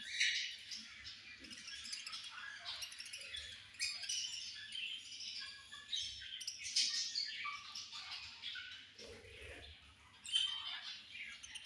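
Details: Several budgies chatter around feeding time in a steady stream of overlapping high chirps and scratchy twitters that swell and fade. Low soft knocks and rustles sound in the background.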